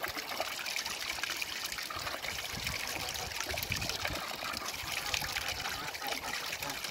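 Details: Steady trickling, splashing water fills the recording, with no animal calls audible.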